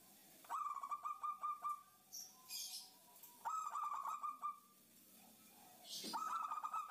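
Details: Female zebra dove (perkutut) calling the male, a lure sound to prompt other doves to call and attract wild ones; three bursts of rapid staccato cooing notes, each lasting about a second, separated by short pauses with faint background noise.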